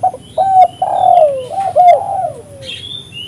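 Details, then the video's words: Loud spotted dove coo sequence, used as a lure for catching doves: quick low notes, a long mellow coo falling away, then two bouncing coos and a trailing downslur. A faint high whistle follows at the end. "suara burung tekukur gacor paling ampuh untuk pikat dan pancingan"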